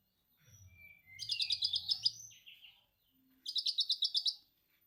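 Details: Konin, the orange-headed thrush, singing lovebird-style ngekek material meant to lure young birds into song. Two rapid rattling chatter bursts, each under a second, follow a brief rising whistle. A steady low rumble runs beneath the first half.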